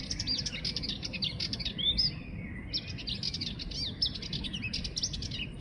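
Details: Sardinian warbler pouring out dry, clicking chatter broken by a clear downslurred whistle partway through, then more rapid scratchy phrases; low rumbling noise underneath.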